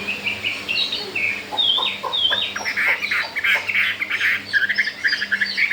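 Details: Chinese hwamei, four days after arriving, singing well and unafraid of the resident birds: sustained whistles and sliding notes, then dense rapid chattering phrases, with a steady low hum behind.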